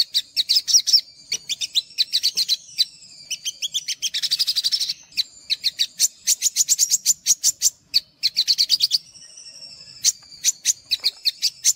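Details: Extended olive-backed sunbird song of high chirped bursts and buzzy trills, with a harsh rasping stretch in the middle and thin whistles between phrases; material for stimulating untrained sogok ontong.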